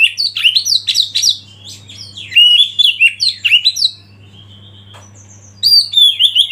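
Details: Oriental magpie-robin lead bird stirring others to sing: a lively stream of sharp whistles and quick downslurs, a quieter stretch of softer notes with a held tone, then a renewed loud burst.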